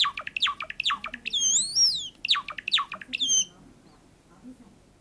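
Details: Pet sakura Java sparrow in song, with quick bright chirps, then a drawn-out whistled note that rises and falls, more chirping and a final high whistle before quiet.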